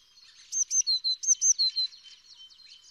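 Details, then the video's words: A green-backed tit sings a quick phrase of about eight high, clear two-note whistles, repeated briskly over little more than a second, with faint birdsong behind. "Tiếng hót chim sẻ ngô xanh"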